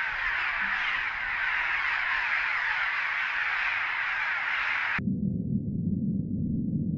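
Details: Many cliff swallows chatter at their nests beneath a bridge at Big Stone NWR after a GoPro is lowered over the side to film them; about five seconds of thick, unbroken chirping chatter, then only low rumbling noise.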